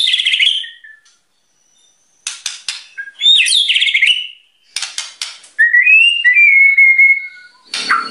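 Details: White-rumped shama in a loud full-volume singing bout, said to provoke other birds: rising and falling whistled phrases broken by harsh buzzy bursts, with short silent gaps between phrases.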